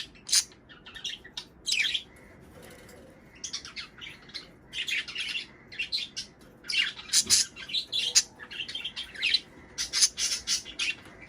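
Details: Budgerigars warbling, played to get birds breeding and laying; irregular bursts of scratchy chatter and sharp squeaks with short gaps, growing denser toward the end.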